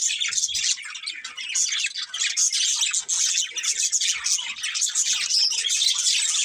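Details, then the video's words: Pet budgerigars in a family group, constant scratchy chirping and warbling from several birds, with occasional sharper squawk-like notes mixed in. "Cute Budgies Chirping Sounds"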